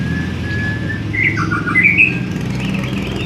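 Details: White-rumped shama from Indonesia giving a short burst of whistled, slurred notes and a brief warble against a constant low mechanical drone.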